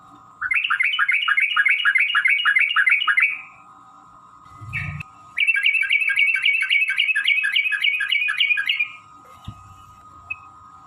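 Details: Yellow-vented bulbul in a long fighting song used to provoke rivals into singing: two extended runs of fast, chattering, bubbly notes, each lasting about three seconds, over a constant low hum.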